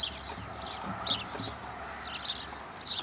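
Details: European goldfinch recorded in Caledonia, Wisconsin, giving quick high tinkling chirps in small bursts, irregularly spaced, against a constant rushing background noise.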